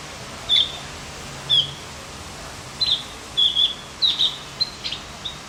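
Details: Javan grey-throated white-eye song played to stimulate other birds: a string of high, thin chirps starting singly about a second apart, then coming closer together in pairs and triplets.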